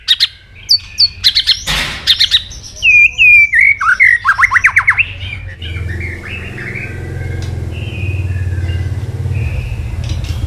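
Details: White-rumped shama stirred to fighting song: sharp whistled notes and a fast run of repeated slurred notes in the first half, then quieter high whistles over a steady low hum.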